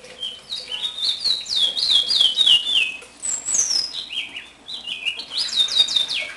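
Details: A captive one-year-old house finch (Carpodacus mexicanus) sings a long, rambling warble of quick, bright notes slurring up and down, with a brief pause midway; a young brown-backed solitaire gurgles in the background.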